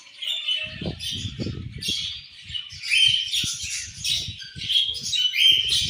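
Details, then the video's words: Budgies chatter with squawky chirps and warbles, overlapping constantly, accompanied throughout by low thuds and rustling knocks. "Colorful Charming Budgies Chirping Sounds"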